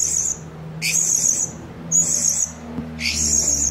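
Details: Decoy serindit, the blue-crowned hanging parrot, used by bird trappers to attract others of its kind. It gives four shrill, fizzing high-pitched bursts about once a second, each with a brief rising onset, over a low steady hum.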